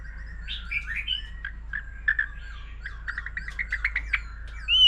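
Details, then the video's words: Mature forest-caught white-rumped shama in competition singing, switching voices continuously while a laughingthrush also sings: warbled phrases, then a stuttering string of short clipped notes ending in a bright rising whistle. "Choè lửa già rừng nhiều giọng hót solo cùng khướu siêu hay"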